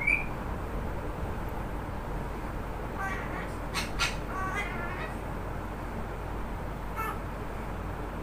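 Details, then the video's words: Talking parrot calling out a person's name: a few short, harsh, squawky voiced syllables between three and five seconds, then a brief call near seven seconds, over a steady low background hum. "Talking Parrot calling Name Amara"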